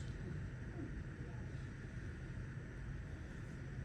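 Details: Steady low engine rumble, like a passing vehicle or boat, fills the recording with no animal calls audible.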